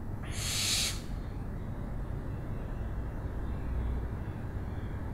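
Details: Owl letting out one short, loud, breathy screech at the start, followed by several seconds of low rumbling background only.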